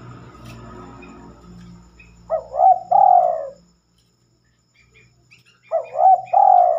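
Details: Night-time song of a spotted dove, rarely heard after dark. A low hum opens, then two phrases follow about three and a half seconds apart. Each has a pair of short rising coos and then one long descending coo.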